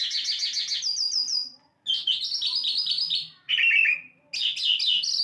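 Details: An Asian lark sings in rapid bursts of bright, trilled and slurred notes, fast chattering runs broken by short pauses, all high and clear.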